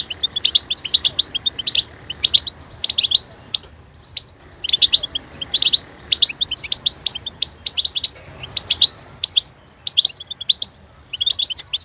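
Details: European goldfinch singing for song training, long sequence of bright tinkling twitters and trills in phrases of one to two seconds separated by short pauses.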